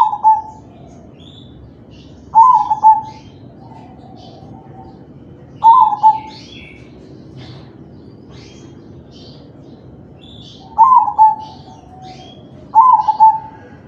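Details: Crossbred zebra dove singing kalung tempuk style song to prompt other doves to join in: five rolling, low coos, each a quick stutter then a held note, spaced about two to three seconds apart over a quiet background.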